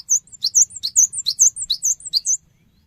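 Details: Lure song of a cinereous tit meant to make other birds answer: a dense burst of sharp, high twittering notes, quickly repeated for over two seconds, then a low background hum.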